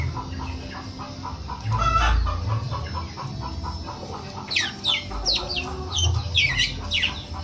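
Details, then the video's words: Long-tailed shrike in lively song imitating a cat. A soft series of evenly repeated pulsed notes comes first, then a burst of steep, high downward-sweeping notes, with a low rumbling hum throughout. "CENDET GACOR SUARA KUCING"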